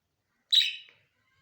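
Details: A parrot's morning call: one short, harsh, high screech that starts abruptly and fades within half a second. Silence surrounds it.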